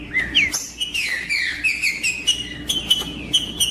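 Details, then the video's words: Trinca-ferro, the green-winged saltator, in 'macheando' song meant to fire up other males: strong whistled phrases of short sliding notes, some swooping upward, others level, repeated rapidly with a few sharp accents. "Trinca ferro Macheando com Trinca ferro cantando Para Esquentar Trinca ferro"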